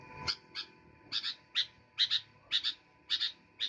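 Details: Lively sooty-headed bulbul giving doubled sharp chirps nearly twice a second. A low murmur of background noise and a steady tone accompany it.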